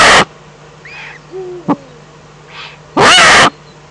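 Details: Eurasian eagle-owl recorded in the Eifel in April 2014: two harsh, hissing screeches framing a quiet gap that holds faint wavering tones, a soft low falling note and a sharp click.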